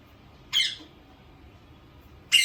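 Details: Pet Indian ringneck parakeet in a small room letting out two short, rasping squawks about two seconds apart, separated by near silence.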